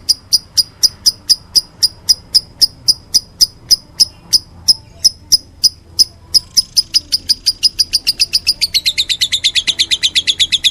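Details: Meloloh lovebird: steady string of sharp high chirps for several seconds, then the notes speed up and blur into a fast, slightly descending chattering trill.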